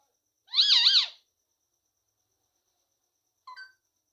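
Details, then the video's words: Ringneck parrot (rose-ringed parakeet), a talking bird said to say "mummy papa", gives a wavering, nasal, voice-like phrase of about half a second, then a short clipped note three seconds later. "mummy papa bolane wala tota"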